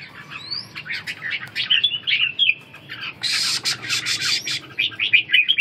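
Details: A captive red-whiskered bulbul, wing-dancing, gives harsh, scratchy chattering notes mixed with short high whistles, with a dense rasping burst about halfway through.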